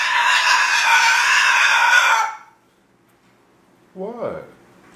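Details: A female pet cockatoo gives a long, harsh, raspy screech lasting about two seconds. After a pause comes a brief throaty squawk that rises and then falls.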